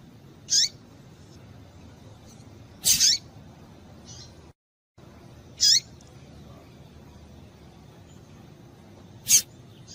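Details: Female double-collared seedeater in breeding condition calling out to excite males: five quick, high, descending chips, one doubled, scattered across the recording with a brief silent cut and faint hiss behind.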